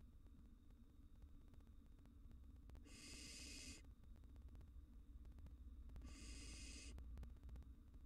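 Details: Barn owl chicks, wild, in a nest box with an intruding cockroach, give two long breathy hisses about three seconds apart, each near a second long, above a steady low hum.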